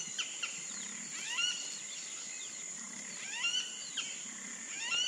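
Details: Wattled jacana, a Pantanal wetland bird, giving short clusters of sharp, squeaky, slurred notes every second or so, over a steady high insect drone.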